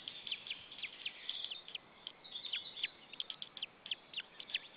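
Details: White-tailed eagle chick left alone in its nest in Saunja, Estonia, on 26 April 2013 at 16:44 after the parent flew off calling. It gives faint, thin, high chirps in quick irregular runs over steady background hiss.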